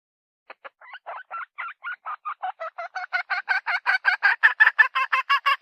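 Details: Hen, valued as a good mother hen, giving a run of harsh clucks that start sparse and quiet, then speed up to about three per second and grow louder and steadier.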